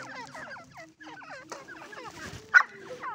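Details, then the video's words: Irani teetar, a francolin, giving dense overlapping chattering calls, many short hooked notes repeated quickly with a sharp louder note near the end. "irani teetar ki voice"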